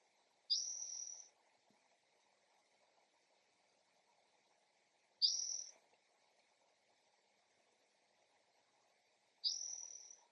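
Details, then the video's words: Spotted towhee calling in a backyard early one morning: three identical buzzy, high, mewing notes, each under a second and slightly falling at the end, spaced about four to five seconds apart, with a faint background hum. "Spotted Towhee call"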